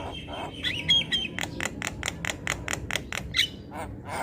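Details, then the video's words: Javan myna in full, constant song for a bird-training tutor recording: a few thin whistles, then a steady run of about a dozen harsh, rasping bursts roughly every fifth of a second, with a final squeak. "Jalak Kebo gacor Tak Kenal Waktu Bikin Ribut Burung Lain Ikut Bunyi"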